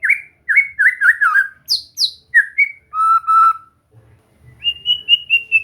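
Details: White-rumped shama, recorded for relaxed song training: bright slurred whistles in a quick group, a pair of very high thin notes, a sustained level whistle, pause, then a row of short steady whistles.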